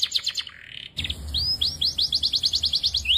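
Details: Belgian canary song with a brief buzzy phrase, a pause, then a long steady series of quick rising chips, several per second.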